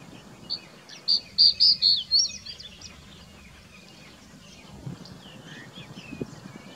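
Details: Crested Bunting (Emberiza lathami) in the Aravalli Hills, Rajasthan, India, sings one brief, bright phrase of about five clear, high notes over roughly a second, ending in a quick twittered flourish, with faint low background rumble.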